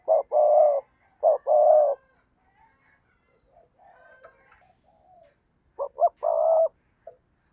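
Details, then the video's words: Spotted dove decoy, used for luring wild doves, gives loud coo phrases of short and long notes, then a pause filled with faint soft murmuring before another phrase starts. "cu gáy kích bổi nhanh nổi/ cu gáy mồi cây thúc gù bài bản"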